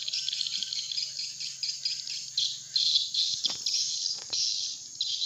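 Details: Swiftlet calling sound used as a lure to bring swiftlets in: a steady, busy stream of high chirps over a faint low hum, with a few sharp clicks near the middle.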